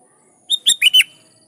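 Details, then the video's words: Lively rival-calling song of a sooty-headed bulbul: one crisp phrase of four fast whistled notes, starting with a level note and ending in a warbling downslur, with no other sounds around it. "Suara Burung Kutilang Gacor Memanggil Lawan || Kutilang liar nyaut dan GACOR"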